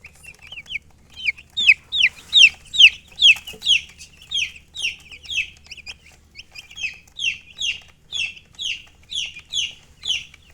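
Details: Baby chicks peeping loudly and steadily: high, downward-sliding chirps repeated more than twice a second, several birds overlapping, strongest in the first half, with a faint low hum underneath.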